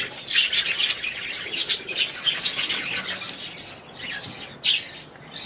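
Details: Household budgerigars twitter in high, thin chirps and soft squawks, lively at first, then quieter, with a couple of sharp notes toward the end.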